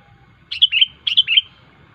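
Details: Sooty-headed bulbul (kutilang) in full song, sharp calls used to lure rivals: two bright bubbly phrases of three or four fluty notes each, quickly falling and sliding, separated by a short pause, over a quiet background.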